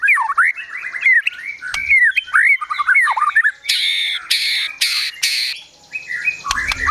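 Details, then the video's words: Agitated white-rumped shama song with mimicked phrases: mellow slurred whistles and chatter, then several loud harsh buzzy bursts, ending in more whistled notes. "Murai Batu Gacor Emosi Isian Besetan Tembakan Sogon, Kunti Dll."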